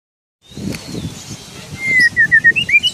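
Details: Oriental magpie-robin singing with an imitated parking whistle: a row of clear, slurred whistled notes rising toward the end, over a background of low murmuring noise.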